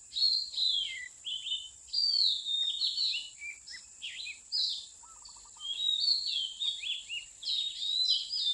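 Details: Wild Oriental magpie-robin where mountain people trap birds, 8/15/16: bursts of bright, varied whistles and downward slurs, with a pause midway and a brief wavering lower note, over a steady high hiss.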